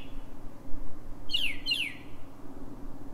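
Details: Brief pre-dawn phrase from a Northern mockingbird in Silver Spring, Maryland: two quick descending buzzy slurs in close succession, set against a low steady hum.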